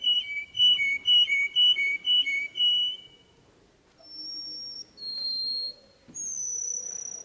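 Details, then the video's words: Canary singing a tutoring song for young birds: six rich, fluty whistled notes at about two per second, then a pause and several long, drawn-out high whistles. "Chant Canari Super Pour l'écolage des jeunes sans fautes"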